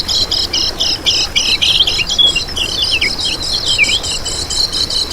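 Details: High, fast twittering from a kecial kuning used as a lure to draw in birds, with dense buzzy chirps running together and a few sliding notes dropping lower, almost without pause.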